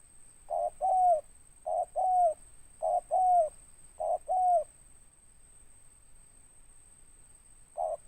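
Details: A local spotted dove gives a deep two-part coo four times in quick succession, short note then longer downslurred note, followed by a pause of several seconds and another coo.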